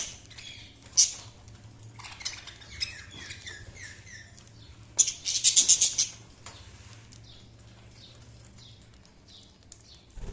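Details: Budgerigars chirping: a jumble of short high warbled and buzzy chirps, with a dense burst of clicking chatter in the middle, then quieter, over a steady low hum.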